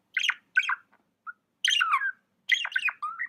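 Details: Budgie gives short chattering chirps in quick pairs, a single soft note, then longer warbled and squawky phrases ending in a level whistle.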